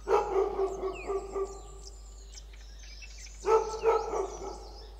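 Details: Red-billed blue magpie foraging on the ground among oak trees at a wildlife sanctuary at Motidhar, Mussoorie, giving its raucous challenging call: a run of harsh, nasal, harmonic notes, a pause of about two seconds, then another short harsh burst.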